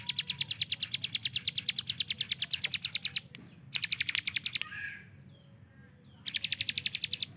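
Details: Hill prinia kept as a training bird pours out a long volley of fast, sharp chips. Pauses follow, with a short burst and a brief lower slurred note, before another rapid-fire run begins.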